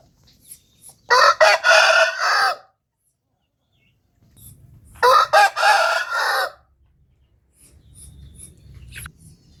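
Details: Two hoarse rooster crows from a crowing compilation, each roughly a second and a half long with a choppy, broken opening, separated by about three seconds of quiet; faint low rumbling sounds follow.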